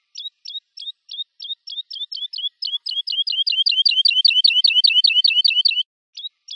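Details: Woodlark song: crisp, high whistled notes, each with a quick drop in pitch, repeated steadily and accelerating into a fast, ringing rattle-like trill before a short break and a fresh opening note.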